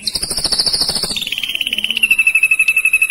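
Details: Ashy drongo in a fast rolling style: a rapid pulsed trill, roughly four notes a second, drops in pitch and then runs on as a steady, even stream of notes.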